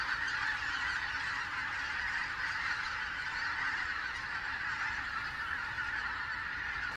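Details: Many greater white-fronted geese calling together after their sudden return to the region on 16 October 2016; a sustained, unbroken din of high, overlapping cackling calls throughout, with no other sounds standing out.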